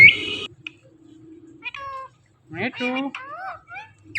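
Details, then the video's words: Indian ringneck parrot mimicking speech, giving short, high-pitched, speech-like syllables with stacked harmonic tones, some gliding up and down, separated by brief pauses in a quiet indoor room. "the best talking parrot mittu"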